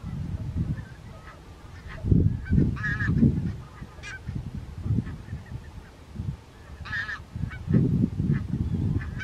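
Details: Barnacle goose at Strijen, South Holland, the Netherlands, on 4 November 2024: short, yapping barks with a nasal edge come in brief clusters, standing out over a constant low rumble from the surroundings.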